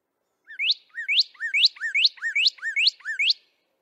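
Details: A male Northern Cardinal song: seven clear, slurred whistles, each dipping then sweeping up, about three per second, like a quick 'birdie-birdie'.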